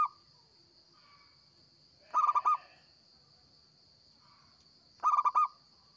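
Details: Zebra dove of local stock in full, lively song, used as a trapping lure: two clear bursts of rapid, bubbling coo notes about three seconds apart, plus a clipped phrase at the start and faint softer cooing between, under a constant high whine.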